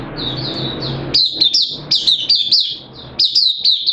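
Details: Oriental white-eye caged for the hobby, open sing session on 8 September 2022, form dipped a little: high twitters over loud rumbling noise at first, then clear quick bursts of sharp, bright chirping notes.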